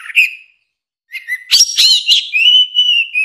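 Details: Orange-headed thrush song, a tutor recording for songbirds that have stopped singing. A short whistle and a pause lead into a sharp burst of varied notes, then a long, steady, slightly wavering whistle.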